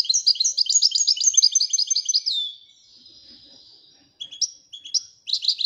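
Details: European goldfinch of the royal type twittering: a dense, fast series of high, tinkling notes ending in a falling slur, then after a pause scattered sharp chirps and a renewed burst of twitter.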